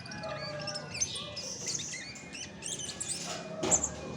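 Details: Song of a chestnut-backed thrush, high quick twittering notes and short slurred whistles strung together, ending in a brighter burst, with a constant low background rumble.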